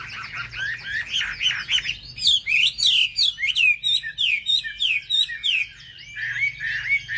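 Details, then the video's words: Wambi bird song used as a lure to provoke other wambi birds: a fast run of sweet whistled and chirped notes, some rising and falling, with a steadier series of rising-falling whistles after two seconds. "pancingan suara wambi paling ampuh untuk memencing emosi burung wambi"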